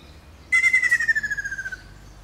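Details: Ruddy kingfisher, a clear, loud falling trill: a fast series of pulsed whistled notes that drops in pitch and fades over roughly one second, with low background hum.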